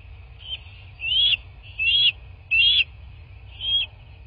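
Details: A bald eagle calls at its nest in southwest Florida on the morning of 15 March 2024. Five loud, high-pitched whistled notes come roughly every 0.7 seconds, each slightly rising and wavering. A faint steady tone and low rumble sit beneath.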